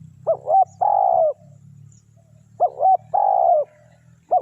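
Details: Spotted dove used to lure wild doves, giving two full phrases of paired short hoots and a drawn-out falling coo, plus the start of a third, over a faint low hum.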